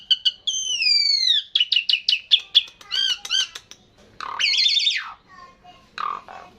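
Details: Jalak suren jawa, the Javan pied starling, singing at length: quick chirps, a long descending slurred whistle, rapid staccato notes, a buzzy warbled phrase and lower squawks.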